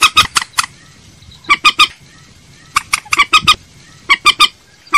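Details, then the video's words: Common moorhen call used as a lure: crisp, clicking kek notes delivered in clusters of three to five, spaced by roughly one-second pauses. "Tiếng trích ré mồi chuẩn - tiếng cuốc biển"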